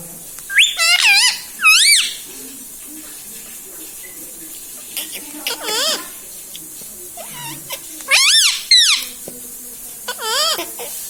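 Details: Talking pet parrot indoors, said to say mummy, papa, mithu and radhe radhe; scattered bursts of high, wavering, harmonic speech-like syllables in groups, with quiet pauses and faint room noise between.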